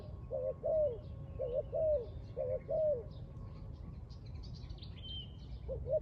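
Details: Spotted dove near a trap, cooing in repeated paired phrases, a quick rising note then a drawn-out falling coo, several pairs in a row before a pause, with faint chirps of other birds and low background rumble.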